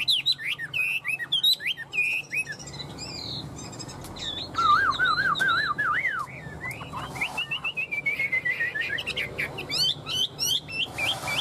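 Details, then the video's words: Tame fan-tailed Chinese Hwamei singing while flicking its tail like a laughingthrush: a fast, varied run of looping whistled notes, some rising and falling, with a lower warbled phrase midway and a man laughing nearby. "Họa mi thuần, Đuôi xòe hót vẩy đuôi như khướu"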